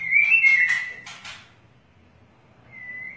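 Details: Long-tailed white-rumped shama, tail flicking, gives a short wavering whistle with clicks, falls silent for over a second, then starts a soft whistle again.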